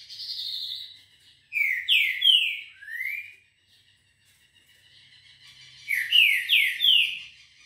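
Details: At 6:30 on a Monday morning, 18 October, a Green-winged saltator gives two bursts of rich, slurred whistles. Each has three or four ringing notes sweeping down then up, with a few seconds of near silence between them.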